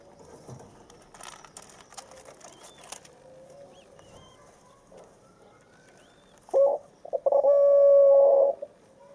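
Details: Two young white dove chicks at day 23, around 11 a.m., one perched on a stick and the other learning to peck the ground, give a brief low coo, then a hollow note held over a second; faint rustling and soft chirps earlier.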